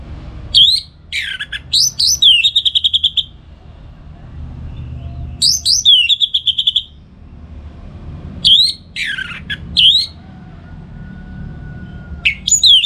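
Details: Morning song of an orange-headed thrush kept to train other songbirds: loud phrases of sharp falling whistles and fast rattling trills, repeated about every three to four seconds with quiet gaps and low hum between.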